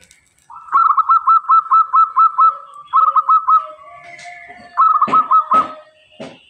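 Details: Local zebra dove singing loud and clear: a long run of about nine rapid bubbling coos, a shorter run of four, then a final burst of five, with several sharp knocking clicks near the end.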